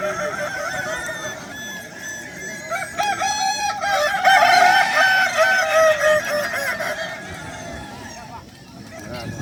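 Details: Kukuak Balenggek rooster crowing at a crowing contest at Danau Bawah on Sunday, 6 October 2024: a long, wavering, harmonic crow drawn out over several seconds with stepped pitch changes, rising louder midway and then fading, amid faint background noise.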